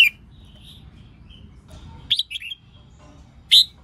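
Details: Female red-whiskered bulbul singing a 'hót ché' style song meant to stimulate males to sing: a few short, bright, slurred whistled notes, one at the start, a quick cluster near two seconds and another at the end, separated by quiet gaps.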